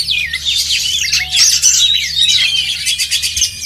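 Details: Caged oriental magpie-robin performing at a songbird contest: loud, varied high whistled phrases with rapid chirps and sweeping notes, continuous and rich, low background hum beneath.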